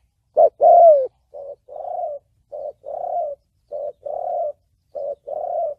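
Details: Thổ bầu style cooing of a spotted dove, a call for trapping and decoy training: a strong opening coo, then softer paired short-and-long coos repeated roughly every second, with a quiet background.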